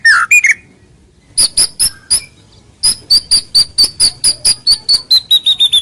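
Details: Shama song used as a lure for rivals: after a few rich whistles, a steady series of short high sharp notes repeated roughly twice a second, gradually dropping slightly in pitch.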